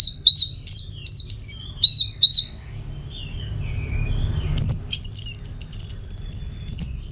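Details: Orange-headed thrush singing for training and triggering its teler song: a string of short arched whistles, a lull, then a rapid rattling run and long high sliding notes, with low background hum.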